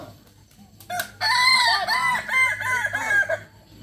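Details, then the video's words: Kukuak Balenggek rooster at a practice crowing competition where diligence in crowing is judged; after a sharp knock, a clear crow bursts in and runs as a series of rounded, stepped arching syllables for about two seconds, then stops. "Ayam kukuak balenggek (akb)"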